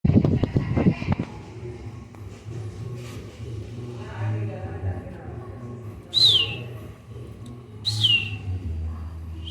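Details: A yellow budgerigar gives short, bright chirps that slide downward, spaced about two seconds apart, over a low indoor rumble, after a brief loud clatter at the start.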